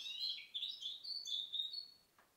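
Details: Brief burst of twittering from a goldfinch hybrid born in 2010: quick high chirps slide into a sustained, bright, slightly buzzy tone, ending in quiet.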